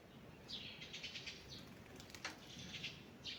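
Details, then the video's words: Birds singing in a forest in the morning: short, high chirps in loose bursts, with one sharp, louder note near the middle and a steady, quiet background hiss. "Morning Birds Singing in the Forest"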